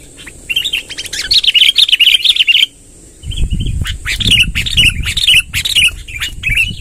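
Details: Rolling song of a lively sooty-headed bulbul, played to attract wild birds: a fast chattering run of warbled notes, a short break, then more bubbly phrases over low rumbling handling noise and a thin high whine.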